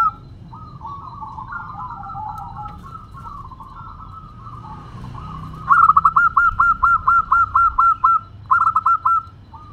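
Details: Fast-singing local Zebra dove with a crystal-toned voice: gentle warbling coos for several seconds, then a loud, rhythmic string of about ten sharp repeated notes followed by a shorter burst of four.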